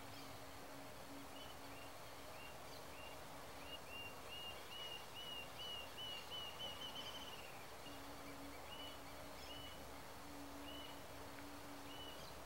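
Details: Rufous-tailed jacamar (Galbula ruficauda) giving short, high, thin notes that speed into a rising trill before slowing again, over a steady low hum and background noise.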